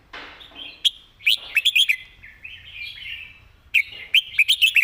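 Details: Red-whiskered bulbul delivering a clear, well-phrased master song (phleng mae bot): soft warbled notes, then two bursts of loud, sharp rising whistles in quick groups of four to five, sweet and clearly articulated, with a quiet background.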